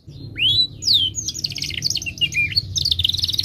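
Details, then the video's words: Timbrado canary song opening with two loud curved whistles, then a long rattling trill of fast high notes. "Timbrado canary singing beautiful melodic songs for training and listening"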